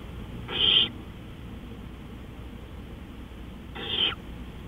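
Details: Owl calling at night at 3:15 AM, 20 April 2013, giving two short, raspy, hissing screeches about three seconds apart, with a constant low electrical hum underneath.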